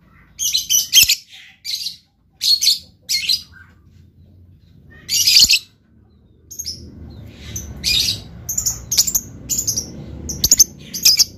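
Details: Lovebird singing in spaced bursts of piercing, high chattering chirps. The calls grow quicker and more clipped toward the end, over a faint low background hum.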